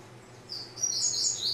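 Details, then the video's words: Captive male double-collared seedeater, kept without a nest in its cage so it feeds normally instead of sitting in the nest calling the female, gives a brief burst of high, thin, chattering "vassourada"-style song over a faint low hum. "MEU COLEIRO SO CANTA ATE A MARCAÇÃO DOS 10 MINUTOS ( VASSOURADA)"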